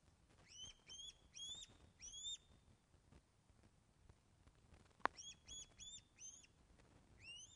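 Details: Osprey at its nest at Loch of the Lowes, Scotland, on 24 August 2012 at 14:10, calling during a fish delivery, picked up by a webcam: bursts of three to five sharp, upslurred whistled chirps with gaps between, and one loud knock midway.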